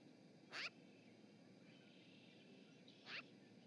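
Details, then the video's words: A magpie at the Charlo, Montana osprey nest webcam, 7 March 2018, gives two brief grating chatter notes roughly two and a half seconds apart. Soft steady outdoor noise fills the gaps. "Chatty magpie"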